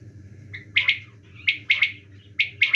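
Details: Quail calling in winter: quick two- and three-note whistled phrases, sharp and liquid, repeated several times in under three seconds, with a low steady hum behind.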